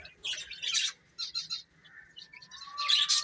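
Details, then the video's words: Baby chickens eating and playing: scratchy bursts of chirping, then a long whistled peep that slides slowly downward, followed by further rough chirps near the end. "Baby Chicken Chirping Sounds"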